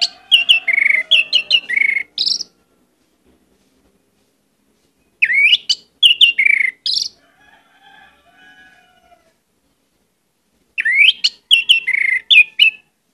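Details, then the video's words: Orange-headed thrush in full, varied song, used as a lure recording: three bursts of rich whistled and slurred phrases, with rising upslurs and rapid descending notes, separated by pauses; faint soft warbling can be heard between the bursts. "pancinagan anis merah gcor banyak isian"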